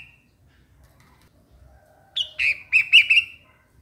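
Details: A single cheerful bulbul phrase after a quiet start, with a sharp high note leading into a tumbling run of rapid warbled chirps, over a faint hum.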